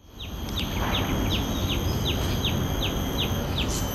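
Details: Common tailorbird at Bidadari, Singapore, giving a fast series of sharp, downslurred high notes, roughly three per second, steady throughout, over a constant low rumbling background noise.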